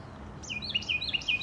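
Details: Morning birds chirping in nature: a rapid run of high, sharp chirps, each with a short downward sweep, about five notes in a second and a half over a quiet background.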